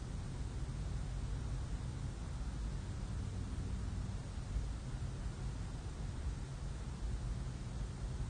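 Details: Steady broadband hiss with low rumble throughout, no animal calls heard.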